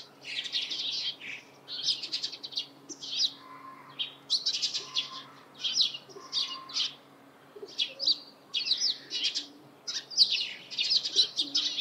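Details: Eurasian tree sparrows calling in the morning: a dense, busy stream of short, bright chirps and chattering bursts in overlapping runs, with brief lulls between clusters and a faint steady hum underneath.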